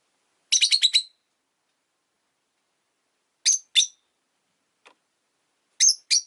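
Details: Rosy-faced lovebirds, five kept in a cage by a window, giving sharp, bright chirps: a quick burst of five at first, then pairs of short calls separated by silent gaps.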